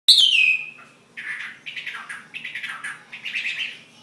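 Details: Chinese hwamei fighting bird from Ha Giang, Vietnam: a loud high whistle sliding downward, a short pause, then rapid rich warbled phrases repeating about three times a second.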